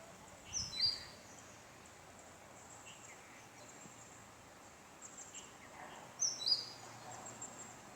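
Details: Indian (Black-backed) robin in Sri Lanka giving two brief bursts of sharp, high chirping notes about six seconds apart, with fainter notes between, over steady outdoor background hiss.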